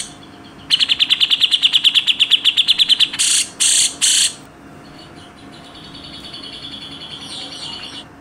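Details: Grey-cheeked bulbul (cucak jenggot) delivering a rapid dense trill of sharp repeated notes for over two seconds, then three loud, broad, rough rasping 'besetan' bursts, followed by fainter quiet chatter.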